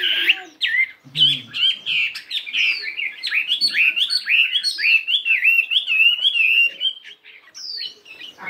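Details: Morning singing practice of a caged fighting Chinese hwamei weighing 72 grams, switching voice: a long run of quick, rich whistled notes rising and falling, about two per second, with a few harsh notes early.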